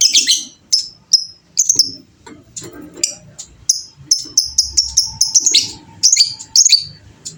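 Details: Fighter lovebird performing the long chatter called 'ngekek panjang': dense, rapid strings of piercing high chirps and buzzy notes running almost continuously, with a faint low hum and murmur beneath.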